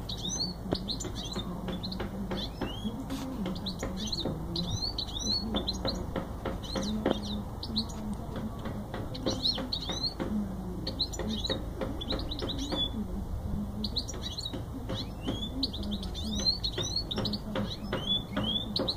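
A goldfinch mule sings a lively stream of bright, twittering chirps and quick trills.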